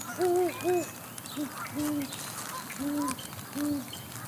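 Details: Great horned owls (Bubo virginianus) in Charlo, Montana, USA, hoot deep and soft between mates: the mother in the nest with three owlets, and the male in the distance. A quick pair of hoots, then single hoots at two pitches, with rain crackling.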